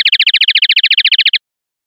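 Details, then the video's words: Common linnet, pardillo limpio song style: one rapid, steady trill of about seventeen bright, high notes, ending abruptly after roughly a second and a half, followed by silence. "NUEVO CD PARDILLO LIMPIO 2025/2026"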